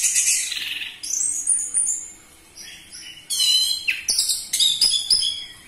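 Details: An orange-headed thrush gives a varied lure song for prompting caged birds to sing. Scratchy high notes lead into sweet whistles, then clipped, harmonically rich chips and quick twittered phrases follow in rapid succession.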